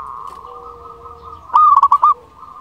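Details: Local Zebra Dove in peak singing form, meant to stir silent or stressed doves into singing. After a soft, drawn-out hum, a burst of four or five clipped, rolling coos ends abruptly.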